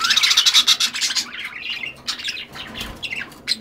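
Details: A pet budgerigar (Melopsittacus undulatus), one of several given a small treat, chatters harshly: a dense run of scratchy squawks for about a second, then shorter raspy chirps spaced unevenly.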